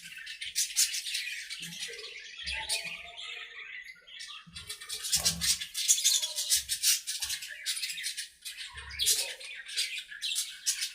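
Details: Budgies in an aviary playing and talking together, producing a rapid, rattling stream of harsh chirps and scratchy buzzes, with several dull low knocks underneath.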